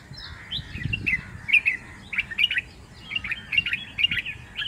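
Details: White-eared bulbul song recorded in Mumbai: a lively run of short, bubbly whistled notes in quick clusters, some rising and falling, repeated through the recording over a low background rumble.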